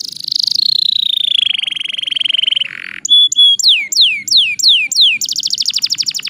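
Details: Canary song used to provoke rival birds into singing: a long sustained whistled note falling slowly, a brief buzzy burst, then a series of sharp high downslurred notes ending in a rapid dense trill.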